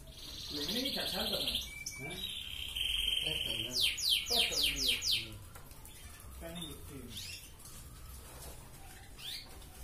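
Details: Red canary in lively, chattering song, played to stir breeding drive in hens: long steady whistled notes open, then a fast rattling trill of about six notes, then scattered softer chirps over low murmuring background sounds.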